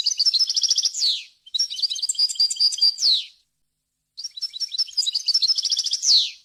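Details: European goldfinch singing a varied wild-type song used to teach young birds: three phrases of quick repeated twittering notes, each finishing in a rasping downward buzz, with a pause before the last.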